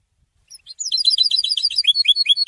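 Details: European goldfinch in song after its moult, a dense, lively twitter of high chirps and trilled notes rising in intensity and running continuously.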